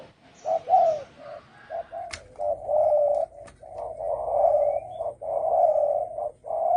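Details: Spotted dove calling to provoke other birds, a run of low hoarse coos of uneven length, some short and some drawn out, with a couple of sharp clicks or knocks early on.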